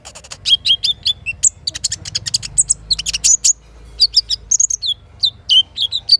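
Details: Little spiderhunter singing in the morning, kinin fill-in variety used as a singing prompt: rapid strings of high chirps, falling whistled notes and brief trills, over a quiet low rumble.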